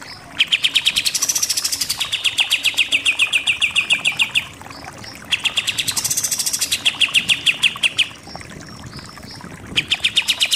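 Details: Pied triller, 'super nembak-nembak' song style: long volleys of quick, sharp repeated notes, each opening with a higher buzzy flourish, in three bursts with short pauses between.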